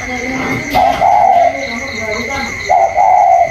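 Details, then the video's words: Còi-style spotted dove competing with a wild outdoor bird on 27 October 2022: two loud wavering coos, with a softer lower dove answering between them and a steady high whine. "chim cu còi trong đấu với thổ ngoài"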